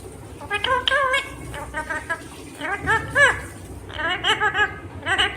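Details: Green Indian ringneck parakeet chattering in quick, clipped, speech-like syllables in bursts of several notes, high and nasal, over faint background noise.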